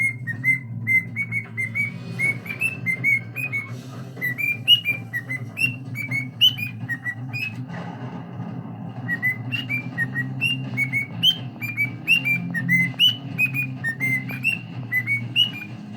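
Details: A male pet cockatiel whistles The Addams Family theme in clear, bright notes, stalling and restarting the phrase as he struggles to remember it, then suddenly gets it.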